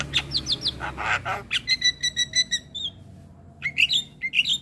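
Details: Javan myna (jalak kebo), a masteran for teaching young mynas to sing: a varied medley of chattering notes, rasps and a series of clear doubled whistles, ending in rising squawks.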